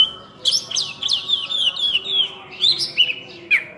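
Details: Oriental magpie-robin (kacer), locally called burung cincim pala, singing vigorously in a full-fill-in (isian) style: slurred whistles and rising-falling sweeps, several notes in under four seconds, with a faint low hum beneath.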